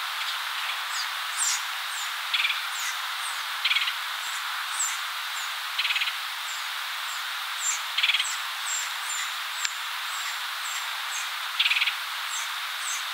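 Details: Red-headed woodpecker at its nest while feeding a chick, Cook County, Illinois, in spring 2020, gives short, harsh, raspy calls at irregular one-to-four-second intervals, over thin chirps from other birds and insects.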